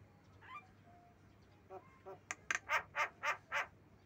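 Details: Javan myna calling: a few soft notes, then a loud series of harsh, buzzy, broadband squawks repeated about four times per second over the final two seconds.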